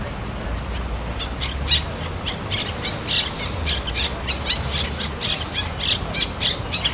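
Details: City parrots squawking, with repeated shrill, harsh calls coming in quick irregular bursts above a constant low traffic-like hum.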